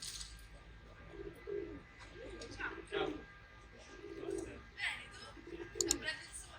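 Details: Rock doves (feral pigeons) eating grain in Rome, Italy, give soft, low, throaty coos in short rolling bursts, overlapping every second or two, with sharp clicks and pecking noises between.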